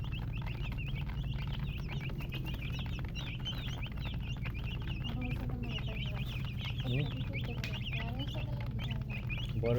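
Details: Baby chicks chirping, many high slurred peeps packed closely, with a few lower wavering notes later and a persistent low hum underneath.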